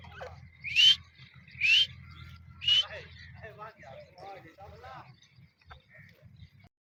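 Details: Male Dakhni grey francolin, a breeder bird, calling with three loud, shrill rising notes about a second apart, then a run of softer chattering notes, over a faint low hum.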